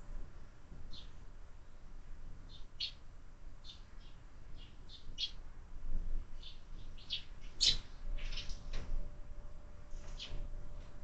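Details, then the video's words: Sparrows feeding at a window feeder on a busy morning, giving many short spaced chirps, with a sharper louder note in the middle and a faint steady hum behind. "Воробьи в кормушке - утро всегда бойкое"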